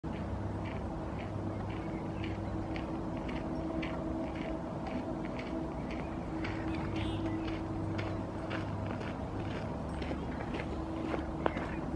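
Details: A steady low engine rumble and hum with regular ticking, and no animal calls.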